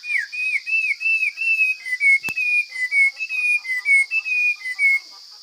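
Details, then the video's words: Forest hwamei delivering a taut, fine song: a long chain of slurred whistled notes rising and falling, each about half a second apart, with one sharp click midway and a steady high hum throughout. "Coob hav zoov quaj tau zoo kawg!"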